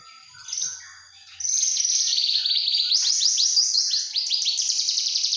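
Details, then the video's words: Javan bush lark juvenile starting with a soft faint note, then breaking into a loud, continuous stream of rapid high trills and slurred chirps that runs to the end. "Anakan branjangan"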